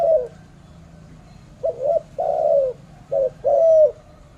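Spotted dove giving soft, low, hollow coos in a short phrased series, two short notes followed by a longer drawn-out coo, repeated; a faint low hum underneath.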